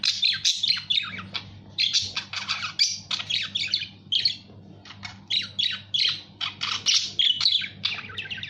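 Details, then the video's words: Budgerigar voice in a continuous stream of harsh squawks and chirps, dense bursts separated by brief pauses, over a low electrical hum. "SUARA BURUNG PARKIT"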